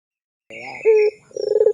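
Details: Barbary dove lure call for tutoring young birds: a brief wavering note, a short clear coo, then a rapid pulsing roll starting up.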